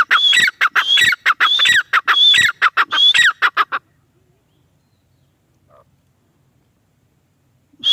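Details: A female grey francolin gives a fast run of loud, repeated phrases, each a high whistled note falling into squawky notes. The series stops after about four seconds into silence, and a new phrase starts at the very end.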